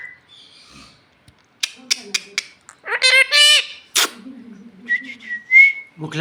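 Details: Talking parrot said to say in Bhojpuri that it is hungry and wants roti: faint opening whistle, a few sharp ticks, a raspy two-part speech-like utterance, then a bright level whistle.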